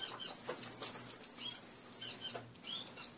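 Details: Indoor caged finches in the morning, cage bare after washing: fast, continuous run of high chirps for about two seconds, then a pause and a few soft single notes.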